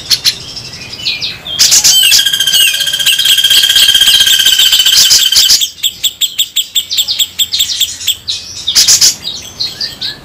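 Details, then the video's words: Grey-cheeked bulbul (cucak jenggot), local Javan and Sumatran birds compared, giving the very rough 'besetan' song style: long buzzy sustained notes, then a fast harsh rattle of clipped notes about four per second, ending in scratchy bursts. "Masteran super kasar raja besetan jenggot lokal vs sumatera"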